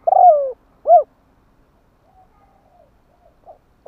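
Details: Spotted dove song used to stir captive doves into singing quickly: a loud, low, mellow drawn-out coo that slides downward, then a short rounded coo, followed by faint soft notes and near silence.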